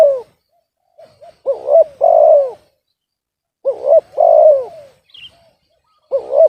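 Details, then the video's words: Spotted dove whose voice is called off-key, repeating its hollow phrase: short double hooked notes followed by a loud sustained coo dropping in pitch. Three phrases come about two seconds apart, with one faint high chirp. "TARGET SUARA BESAR MALAH DAPAT BL SUARA SUMBANG"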